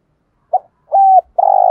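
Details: Early-morning decoy spotted dove: a short soft note, then a smooth, level hooting coo, then a buzzier, vibrating coo that is cut off.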